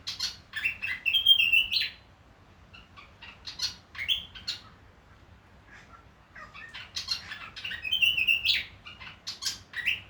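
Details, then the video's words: Australian Willie wagtail in Far North Queensland calling in rapid bursts of high, clipped chirps and sweet whistled notes that rise and fall, with phrases repeated after short pauses and little background noise. "Willie Wagtail Call"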